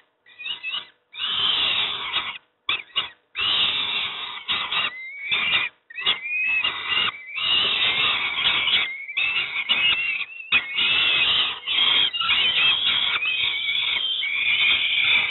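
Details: Young peregrine falcons at Moszna near Pruszków, Poland, fed breakfast: a long run of stuttering, rasping screams that merges into near-continuous hoarse wailing with rising whiny notes.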